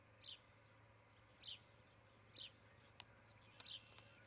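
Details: Osprey at a nest near the treetops of Charlo, Montana, recorded 18 July 2018 around 10:30–11:30, giving four brief, high, down-slurred chirps about a second apart; faint clicks and steady background hiss.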